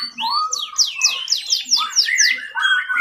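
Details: A Belgian canary sings a rapid run of bright, sweeping whistled notes, repeated slides and high trills, with a faint low murmur in the background; a song used as a tutor recording for other canaries.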